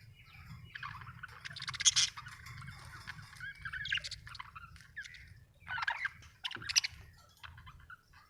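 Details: Budgerigars chirping: bursts of buzzy, warbling chatter with scratchy high notes, several overlapping phrases, over a low steady hum.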